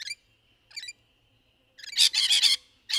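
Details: Rainbow lorikeet courtship sounds in trees: two brief nasal calls, then a loud, rasping, rapidly pulsed chatter and a final screech.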